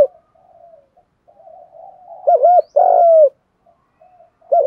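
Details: Cooing spotted dove used as a lure to make wild doves coo. Soft low coos build to one loud phrase of a double-humped note and a sustained falling coo; the next phrase begins at the end.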